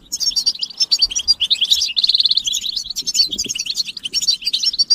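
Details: Several European goldfinches twittering, with mating calls meant to push males into song. Lively high chirps lead into a buzzy, even trill at about two seconds, then more jumbled tinkling phrases.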